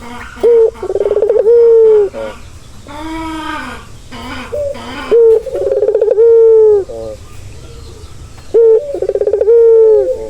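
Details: Calming coos of a turtle dove, three full phrases of short note, quick rolling pulses and a held low tone, with a harsher higher call between the first two.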